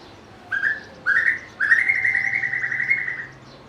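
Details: Three whistled phrases from a White-rumped shama, a varied singer that can imitate other birds: two short rising notes, then a long, wavering, slightly trilled whistle held for almost two seconds before fading.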